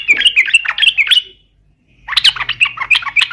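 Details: Yellow-vented bulbul giving its provoking fight song: a quick chatter of liquid notes, a silent gap, then a busier, slightly harsher stream of tumbling phrases with a faint low hum behind.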